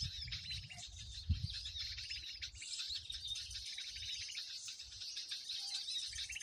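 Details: Noisy flock chorus for luring birds onto bird-lime traps: continuous overlapping chirps, squeaks and buzzy trills from many birds, over low rumbling noise.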